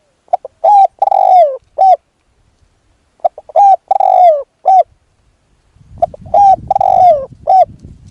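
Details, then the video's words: Decoy spotted dove calling during an attempt to lure a wild dove, giving three similar phrases of soft coos, each built from short notes and one long, downward-sliding coo, with rustling noise near the end. "ต่อนกเขาใหญ่ พลาดเฉลยเสียงดีครับคารมสุดยอดครับ"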